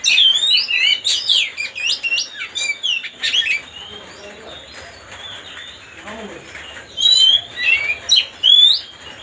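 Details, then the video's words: Oriental magpie-robin singing to provoke another bird: a fast opening volley of sharp whistles and chattering notes, then a lull with faint murmurs, and a few final rising whistled phrases. "mancing suara kacer biar emosi"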